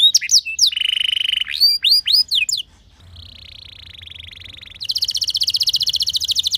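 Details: Canary lure song to make other canaries sing: looping sweeps and a flat buzzy trill, a softer steady high warble, then a loud, rapid, even rattle roll.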